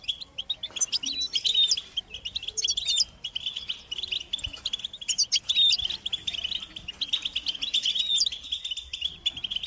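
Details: Several European goldfinches in group twittering, mating and readiness calls used to rouse silent males into song: dense, continuous tinkling chatter of high, rapid notes, with brighter bursts of sharp trills from the second to the eighth second.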